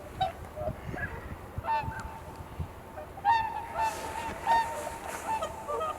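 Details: Early-morning swans on Kotoku-numa pond in Japan, in blue-hour light: scattered honks and a few longer trumpeting notes, mixed with gusts of wind noise and soft background rustling.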